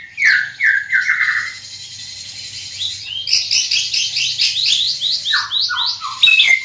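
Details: Greater green leafbird, a large-bodied bird with a loud, far-carrying voice, singing a varied song: a run of falling slurred whistles, then a dense chattering stretch of quick high notes, ending with more downslurred whistles.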